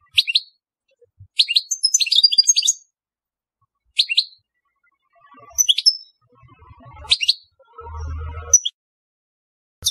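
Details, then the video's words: European goldfinch singing in the telqam style: bursts of bright, liquid twittering and tinkling notes separated by short pauses, with faint low knocks and a brief dull thump near the end. "Chant Chardonneret telqam"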